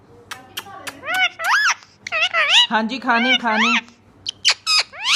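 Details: Green ring-necked parakeet talking rapidly in Urdu, saying mian mitho and choori khani: a run of strongly harmonic, wavering syllables with rising squeaky whistles, closing with sharp upward squeals.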